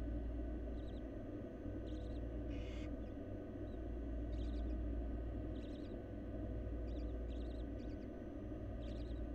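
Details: Wild barn owls in a Florida nest box as the fourth nestling hatches: faint, thin chittering calls in short paired bursts recur through the clip, with one brief rasping hiss near the middle over a steady low hum.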